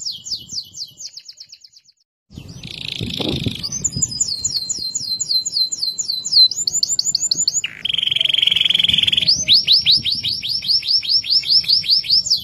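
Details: Loud, clear loper-style canary song, meant to set other canaries singing: high rattling trills, a brief pause, then a buzzy burst, long bright trills of repeated notes, and a steady drawn-out whistled tone before further rapid trilling.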